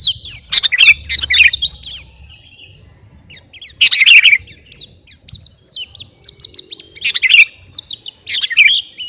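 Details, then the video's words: Captive sooty-headed bulbul of the garuda type, singing vigorously and presented as competition-ready. Bursts of bright, quick whistled chirps and slurred notes come in clusters, with quieter pauses between them and a low rumble in the background. "KUTILANG GARUDA GACOR..!! SIAP TEMPUR KICAUAN"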